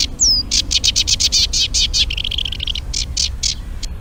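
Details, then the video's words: Eurasian reed warbler song played back in Urdaibai, Spain, where the first migrants of the season were being heard. A high slurred whistle opens a run of rasping chatter notes that shifts briefly into a lower buzzy trill. "Preciosos los cantos que tiene el carricerín común."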